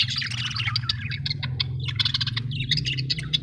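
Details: Several happy budgies chatter nonstop, with rapid overlapping chirps, squeaky warbles and short clicks crowding together, while a constant low hum runs underneath.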